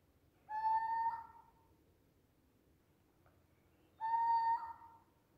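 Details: A Eurasian scops owl calling at night gives two clear, mellow whistled notes, each about half a second long and spaced roughly three seconds apart, over a faint low background hum; recorded on a smartphone.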